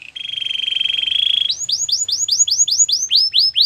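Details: Belgian canary warming up its song to get ready for females: a long steady buzzy trill, then a fast series of upward-curving whistled notes repeated about four times a second.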